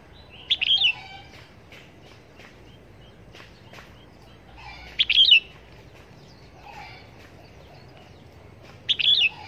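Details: Decoy red-whiskered bulbul for bird trapping, repeating short lively chirped phrases roughly every four seconds, each a quick cluster of bright notes, with softer lower calls and faint rustling in between.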